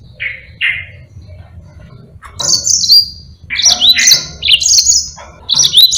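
Yellow-fronted canary: two soft whistled notes, then a rapid, jumbled run of high, bright warbles and trills that continues unbroken for several seconds.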